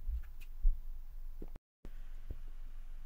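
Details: Low thumps and scattered clicks from handling, with a brief dead-silent gap midway and no animal voice.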